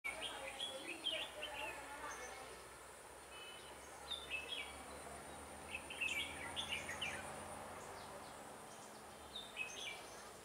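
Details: Red-whiskered bulbul recorded during bird trapping on 7 October 2018, with a lure bird in use. Short, bright warbled phrases repeat in bursts through the clip over a steady background hiss. Faint low noise is also present.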